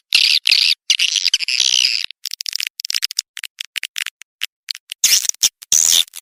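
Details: Edible-nest swiftlet call meant to draw in swiftlets. Rasping high twitters give way to scattered sharp clicks and chips, then two loud shrill squawking bursts near the end.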